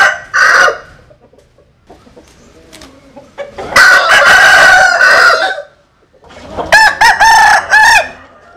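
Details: Three rooster crows, from a compilation of Vietnamese and American Sil cocks: a brief clipped crow, then a long harsh one with a held note, and finally a clear stuttered crow with separated rising syllables.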